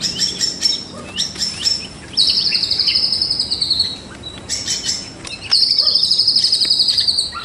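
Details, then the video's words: White-rumped shama in full, lively song, used as morning training audio for other birds: bright chips and clicks, then two long, high, slowly falling whistles with a fast fluttering trill, each held about two seconds. "Murai Batu Gacor Dor Full Isian || Untuk Melatih Burung Di Pagi Hari"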